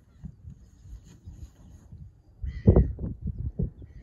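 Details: Taiga bean goose recorded on 10 March 2024: after a low, rumbling background, a burst of deep, nasal honking calls begins about halfway through and comes in several quick, uneven notes.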